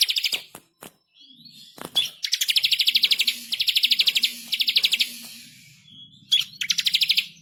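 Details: Bar-winged prinia tutor song, vigorous and insistent: scattered sharp notes, then long fast rolls of dry, high ticking pulses, about three rolls of roughly a second each, ending with another quick trill.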